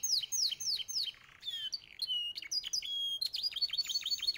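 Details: Belgian canary song, one of three yellow canaries: four quick high descending sweeps, then a varied series of clipped chirps, short whistles and a fast chattering trill.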